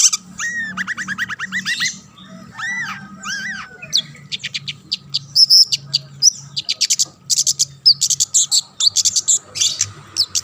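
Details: Long-tailed shrike song aimed at drawing other shrikes to sing: opens with rapid ticking chatter and rising-falling whistled arcs, then shifts into a quick stream of sharp high chips and buzzy notes.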